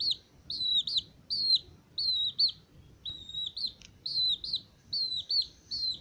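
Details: 22-day-old male Aseel chicks peep in high, clear, slightly falling whistles, about two per second, with some calls overlapping, over a faint low rumble.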